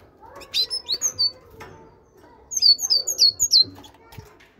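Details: Caged great tit singing, bred in captivity: two bursts of thin, high, downslurred whistled notes, four to five quick notes each, separated by a short pause; soft rustling and faint low background sounds between phrases.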